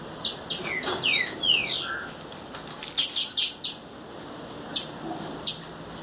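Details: Wild female blue-black grassquit: a few descending whistled slurs, then a loud, long, high buzzing note, followed by spaced sharp clicking ticks.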